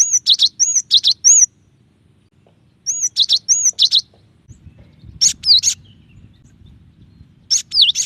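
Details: Cinereous tit with varied song: repeated phrases of high arched whistles and sharp chips, pausing between phrases, later shifting to a different pattern with downslurred whistles; faint low background noise.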